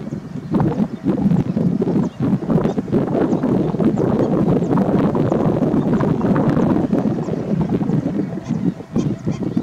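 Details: Greater flamingo: a dense, continuous gabble of many low, goose-like honking and grunting voices overlapping without pause, loud and close throughout.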